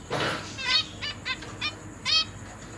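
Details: Caged zebra finches, parents busy feeding newly hatched and juvenile young, recorded 29 September 2023: a brief rustle, then four or five short nasal harmonic calls spaced irregularly, with a faint steady high hiss.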